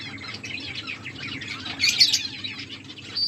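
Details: Feeding pet finches twitter busily with high, thin chirps that swell into a dense cluster around two seconds, over a faint low hum.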